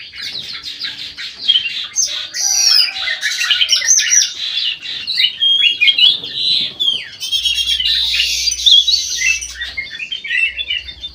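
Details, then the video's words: Golden bulbul with white eyes singing very actively in an aviary: dense, rapid chattering and twittering with high whistled notes, a continuous jumble of quick phrases over about eleven seconds, with a faint low hum in the background. "KUTILANG EMAS MATA PUTIH SUPER GACOR"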